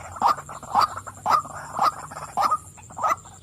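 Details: Female white-breasted waterhen calling: harsh, nasal 'wak' notes repeated about twice per second, each note a short croaking burst, over a steady high-pitched whine in the background.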